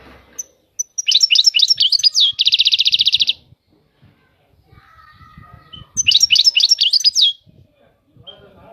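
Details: European goldfinch singing a liquid, twittering phrase that runs straight into a fast, even buzzing trill, then pauses before another tumbling twitter. A faint low whistle and soft low knocks fill the gap.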